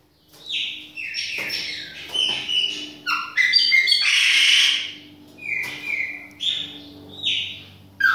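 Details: Chopi blackbird performing in a kitchen: bursts of whistled and slurred notes alternate with a harsh rasping section, followed by steady, evenly spaced falling whistles about every second, over a faint low hum.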